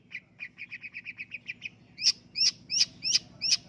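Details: Contest-champion long-tailed shrike singing: a run of about ten soft, evenly spaced mid-pitched chirps, then five loud, sharp, high clipped notes at a slower pace, roughly three per second.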